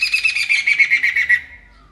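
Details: Poksay mantel laughingthrush in loud, vigorous song (gacor): a fast series of harsh, buzzy pulses, about eight beats, slightly falling in pitch and fading after one and a half seconds.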